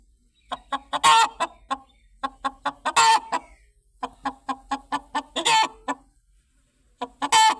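A chicken clucks in quick runs of short, clipped notes, broken every two seconds or so by a louder, harsher squawk.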